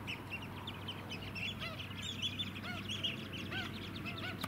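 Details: White-headed Stilts (Black-winged Stilts) in a flock on Queensland mudflats at Scarborough, July 2017: clear, repeated, nasal, yelping notes from several birds overlap, with a constant low engine hum beneath.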